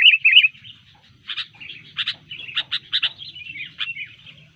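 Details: Sooty-headed bulbul singing when disturbed and ready to fight: loud warbled opening notes followed by rapid repeated harsh chirps and bubbly phrases, about three per second, over a faint hum.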